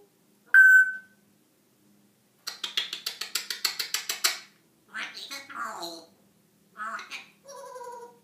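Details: African grey parrot talking and making funny noises: a loud, short whistle, then a rapid run of about a dozen clicks, followed by several garbled, speech-like phrases.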